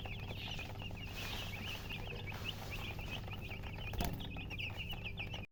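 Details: Just-hatched chicken chicks chirp in a loud, continuous flock chorus of short high peeps several per second, a low hum below and a sharp click near the end.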